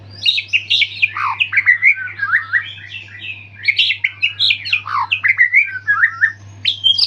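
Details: After moulting, a white-rumped shama pours out a dense, continuous medley of varied chirps, whistles and harsh squeaky notes, jumping quickly between pitches with no pauses. A low background hum is present.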